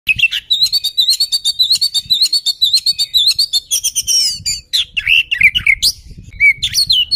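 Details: Oriental magpie-robin (kacer) singing to provoke rival birds: a dense run of rapid trilled notes held near one pitch, then varied whistled, swooping and buzzy phrases, loud and continuous throughout.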